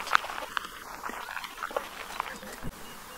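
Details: Sardinian warbler in winter, Aiguamolls Natural Park, Catalonia, 25 January 2022, giving a few sharp, dry tack notes spaced irregularly about half a second to a second apart, with a faint thin whistle and soft rustling behind.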